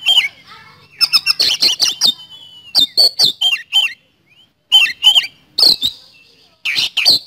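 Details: Oriental magpie-robin (kacer) singing steadily in the rapid 'nembak speed roll' style: bursts of sharp, loud whistled and harsh notes that sweep up and down, grouped into fast runs with short pauses between phrases.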